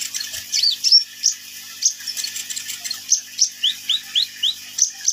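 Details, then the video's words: Sunbird song given as a run of quick high downslurred notes, about three per second and fairly regular, with a faint high hiss throughout. "KICAUAN BURUNG KOLIBRI NINJA GACOR"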